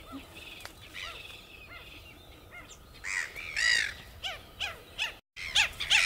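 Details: Red-gartered coot of Chilean lakes and lagoons, a swimming and diving waterbird: short arched calls repeated at a steady pace, with louder harsh squawks later and a brief dropout near the end.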